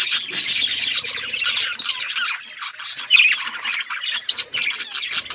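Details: Colourful pet budgerigars playing with one another, their chatter a continuous mesh of harsh squawky chirps and warbles with no pauses across several seconds.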